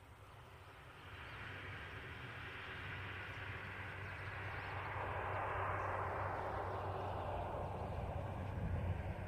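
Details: Steady low rumble like a passing vehicle or aircraft builds in loudness, with broad noise and no animal voice heard.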